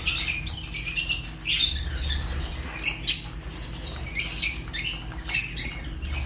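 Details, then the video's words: African lovebird of the Fischer's kind uttering sharp, shrill chirps in clusters with short pauses between, some notes thin and whistled, others rasping. "African lovebirds chirps sounds | تغاريد فيشر"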